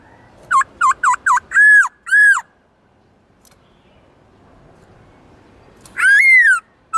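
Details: Black-throated laughingthrush (Garrulax chinensis), a kept songbird whose varied song is used to stimulate other laughingthrushes into singing: four quick, rich notes, then two longer arched whistles, a pause, and one loud drawn-out rising-falling whistle in quiet surroundings.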